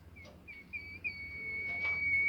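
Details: Bimoli bird whistling, said to set other birds of its kind singing: short separate whistled notes lead into a sustained, even-pitched whistle that grows louder toward the end, with faint low rumble behind.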